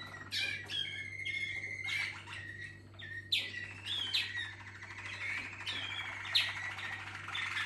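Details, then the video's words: Malinois Waterslager canaries singing as a team: overlapping sharp chips, sliding whistles and rolled trills from several birds, with a steady low hum in the background. "Equipo Ahí van,malinois Waterslager"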